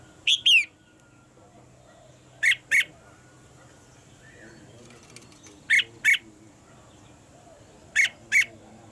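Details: Female red-whiskered bulbul kept in a cage, calling to make the male sing harder: harsher paired notes repeated every few seconds, each pair short and emphatic, with faint background noise.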